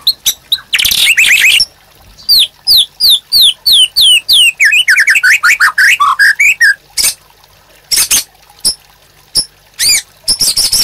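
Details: Caged white-rumped shama singing a master song used to train other caged birds: loud, varied phrases of rapid clicks, then a series of bright descending whistled slurs, followed by sharp clicks and high chips.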